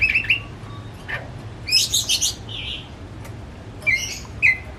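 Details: Pet white-rumped shama kept at home, not for contests, singing as a lure for another shama: warbled whistles, a dense buzzy rattle, then sharp descending whistled notes after a pause.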